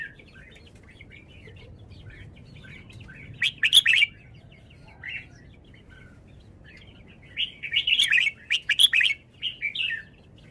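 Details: Red-whiskered bulbul singing in bursts: a short loud warble early on, several seconds of near silence, then a long lively series of bright whistled and slurred notes to the end.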